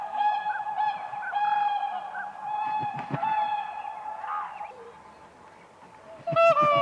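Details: Whooper swans (Cygnus cygnus) on an icy lake in spring give loud, bugling honks, held brassy trumpet-like notes, calling back and forth in a group, ending in a burst of overlapping calls.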